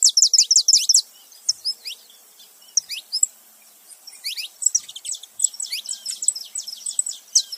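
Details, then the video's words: Saffron finch, a male and a female together, giving bright high chirps and quick downslurred notes in dense bursts, busiest at the start and again after four seconds, with short quiet gaps between. "canário da terra macho e fêmea junto fazendo barulho"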